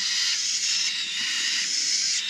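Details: Hand-fed cockatiel chicks, the final ones raised this year in an aviary, give an unbroken, loud, hissing, wheezy begging rasp that holds steady throughout.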